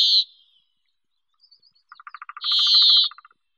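A Brambling gives two long, harsh, nasal wheezes, the second overlapping a quick ticking series of short lower notes. No other sounds are heard.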